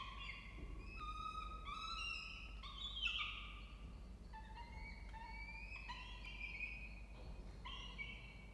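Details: Peregrine falcons with two nestlings aged 29 and 30 days in a water-tower nest box at a university in Orange, New South Wales, Australia, 4 November 2024. Series of stacked, tonal wails and whines, some rising steeply, over a low background hum.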